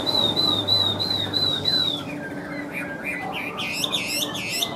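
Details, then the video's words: Large caged Chinese hwamei, yellow-billed and yellow-legged, holds a string of high steady whistles, then breaks into rising, bouncy looped notes that quicken toward the close. "Chim Họa Mi Hót Vẩy Đuôi Khướu"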